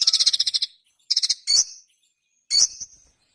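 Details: Ruby-cheeked sunbird, locally sogon, with two bursts of fast high stuttering notes followed by two sharp, thin, high squeaks.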